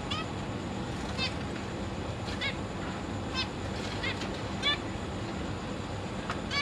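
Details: Zebra finches give short, nasal honking calls at irregular intervals of about a second in a big cage, where parents feed three juveniles and three newly fledged babies; 22 August 2023; low background hum.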